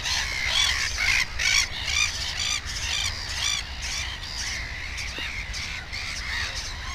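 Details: Black-headed gull at its nest with two chicks; harsh, rasping calls repeated about twice a second, loudest in the first half, overlapping other gulls calling in the background.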